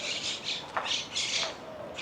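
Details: Monk parakeets, introduced birds originally from Argentina and now found widely across Spain, calling in a palm grove in Valencia; harsh, buzzy squawks in bursts of about a quarter second, repeated several times, with faint speech in the background.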